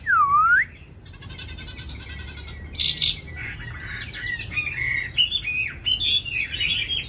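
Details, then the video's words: Caged Chinese hwamei from Hanoi, Vietnam: a loud dipping whistle opens, then a dry rattling trill and a lively mix of high whistles, chirps and warbled phrases. "mi hót mau mỏ"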